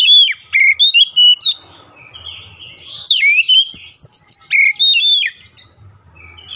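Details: Oriental magpie-robin song from daily training for long rolling delivery; clear sliding whistles repeated rapidly, a softer interlude, then a long continuous string of loud varied high notes.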